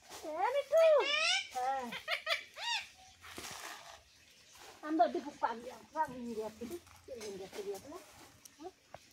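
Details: Talking pet parrot imitating speech indoors: quick chains of bending, harmonic syllables, a loud opening burst, a pause, then softer chattering phrases toward the end.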